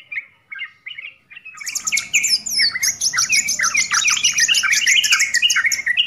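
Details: Yellow-vented bulbul song, full-content style: short bubbly warbled phrases near mid pitch repeated about every half second, then after 1.5 seconds a dense overlapping chorus of chattering notes and thin high whistles fills the rest.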